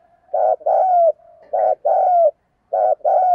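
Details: Fight-provoking coo of a spotted dove: three loud low two-part phrases, a rough short hoot followed by a longer smooth note sliding downward, about one phrase per second.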